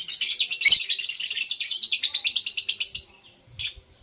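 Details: In the morning, blue opaline and parblue euwing opaline lovebirds chirp in a loud, fast chatter of shrill, scratchy notes, about four per second for three seconds, then a pause and one last harsh note.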